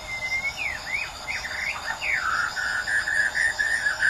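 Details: White-rumped shama from Medan with a string of looping whistled phrases that swoop up and down, settling into a wavering sustained whistle, with a faint high ringing behind.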